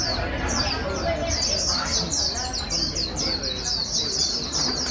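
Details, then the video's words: Fast high warbling from a wild-caught white-eye being trained to sing quickly: sharp down-slurred notes tumbling one after another without pause, faint low chatter behind. "Kích chim vành khuyên bổi mau líu"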